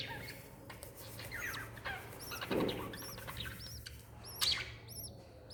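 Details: Mother lovebird and chick, 26 December 2021; sparse high arched chirps appear in the second half after soft rustling and a dull thump.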